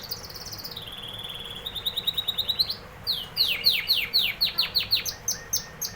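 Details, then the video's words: Canary song: a sustained high whistle sliding gently downward, then a fast rattling trill of repeated short notes, followed by a run of loud, sharply descending swept notes given about three per second. "canary singing"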